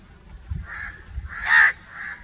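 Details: Crow sounds: a soft drawn-out caw, a louder harsh caw, then another softer one, with faint low thumps beneath.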